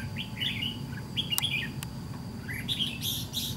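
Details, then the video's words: Red-whiskered bulbul of the white-cheeked type, recorded during trap fighting with a caged decoy bird: bright, slurred whistled phrases near the upper-middle range in short bursts, with sharp clicks and a steady low rumble behind. "Bẫy đấu chào mào MÁ TRẮNG"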